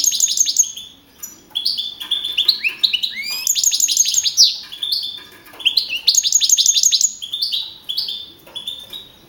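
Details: Young male field-type European goldfinch, first-place champion of a 2012 singing contest in Navalcarnero, Madrid region, scoring 42 points on 15 April 2012; bright high twittering phrases with rapid rattling trills and sweeping slurred notes, separated by short pauses.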